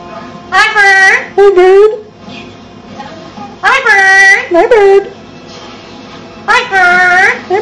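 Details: A 50-year-old male yellow-naped amazon talks in three bursts of clear, human-like words, rising and falling in pitch like a person speaking; the room is otherwise quiet.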